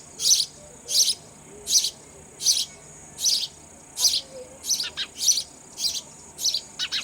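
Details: Baby sparrows begging while an adult feeds them raw insects; high, scratchy chirps repeated steadily about every three quarters of a second, later ones quicker and paired, over a constant thin background hiss.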